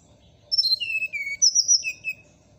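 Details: Brown-chested jungle flycatcher in morning song, giving a descending run of pure whistled notes, then a second phrase that starts very high and drops to two lower slurred whistles, over a soft constant hum.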